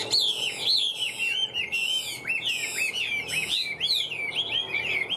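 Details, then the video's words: Loud song from a caged Hwamei noted for singing and fighting well. Bright, powerful whistles slide steeply down and up in repeated phrases, close to two per second, with crisp harmonics. "Họa mi vip đuôi lá vả cứng, hót cực tốt đấu tốt"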